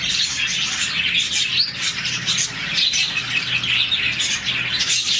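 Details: Colony of some 40 budgerigars chirping happily in the morning; continuous high, scratchy twitters and sharp notes overlap from many birds, with occasional louder squawks standing out.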